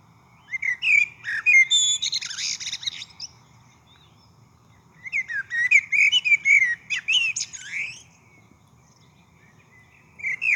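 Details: Brewer's blackbird (Euphagus cyanocephalus) in Saskatoon, Canada gives two long bouts of squeaky, creaking, buzzy notes, high and harsh, separated by a few seconds of quiet.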